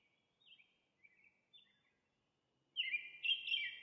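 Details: Faint, soft, warbled notes from an American robin, followed by a louder, burry, whistled phrase near the end.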